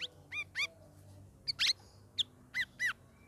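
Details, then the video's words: Sooty-headed bulbul kept in a cage during its third week of group training. Its song is a string of clear, slurred whistled notes, some bending down, some rising, given in small bursts with short gaps. "CUCAK RAWIS NGERIWIK NGEPLONG"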